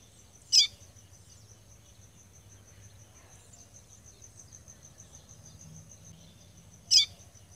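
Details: Female caboclinho seedeater in Rio Grande do Norte's caatinga, Brazil, calling to warm up males' singing: two short, sharp, high chips about six seconds apart against a continuous high cricket-like whine.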